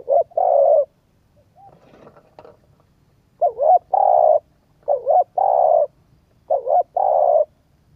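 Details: Spotted dove coos meant to stimulate a training decoy bird: four low, husky phrases of a doubled short note and a long coo, with a brief burst of rustling noise between the first two.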